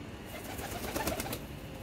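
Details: Pigeons at a pigeon project in Salalah, Oman: low, soft cooing rises briefly through a steady hiss and clatter of background noise.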